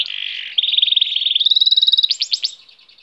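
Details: Bright warbling from a goldfinch hybrid: a buzzy opening note, a fast steady trill rising in pitch, then several loud swooping notes before fading out.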